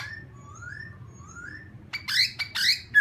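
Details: Laughingthrush song meant to provoke another bird: soft rising whistles drawn out slowly at first, then abrupt loud harsh notes and a sharp whistle at the end, over constant low hum.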